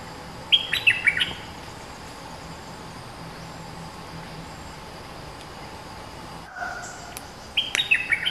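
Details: Fierce territorial streak-eared bulbul, the local master bird, sings two lively chirping phrases of several quick notes, one near the start and one near the end. Continuous insect drone between them, with a brief low rumble midway.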